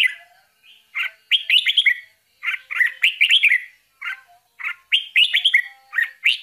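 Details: Bulbul feeding her young; clusters of three to five quick, bright chirps separated by short silences, with fine high ticking overtones and a lively, excited rhythm.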